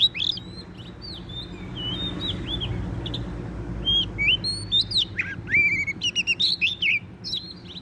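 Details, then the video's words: Vigorous song from a wild Oriental magpie-robin where it is being trapped: clear, sweet whistled phrases, rising and falling slurs, then a dense flurry of short chirps and trills toward the end, above a steady low hum. "chích chòe than bổi rừng hót rất sung"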